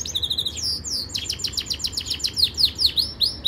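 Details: Yorkshire canary song used for training: rapid high trills run straight into a sequence of sweeping, falling whistled notes repeated a little over twice a second, with constant low hum behind.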